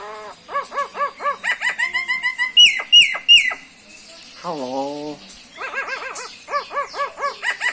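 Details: A common myna of the nominate subspecies (Acridotheres tristis tristis) runs through a varied string of calls: quick bursts of nasal chattering notes, a few sharp downslurred whistles, a low croak, then more chatter.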